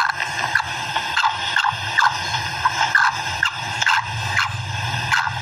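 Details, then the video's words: Female black francolin calling with short, sharp notes repeated about twice a second, each with a rising harsh squeal, over a steady low hum and faint tonal background lines. "Kala Teetar ki maadi ki awaz / voice of black Francolin female"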